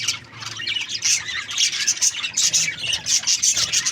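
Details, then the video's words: Budgerigars chatter with rapid, high, squeaky chirps and harsh little squawks, swelling into repeated bursts after a quieter opening half-second. "Budgies Parrot chirping sound | parakeet sounds"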